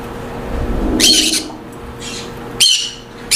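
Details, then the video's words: Monk parakeets in aviaries, kept for colony breeding, give a loud rough squawk, a softer one, then another sharp grating call, over low background rumble. "أصوات ببغاء المولينا في السلاكات والتربية الجماعية"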